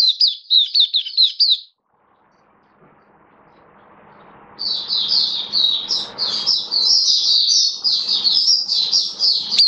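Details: Oriental white-eye kept as a cage bird, October 2022. A quick burst of high twittering notes, a pause with soft background hiss, then a dense, continuous stream of bright chirps and trills to the end.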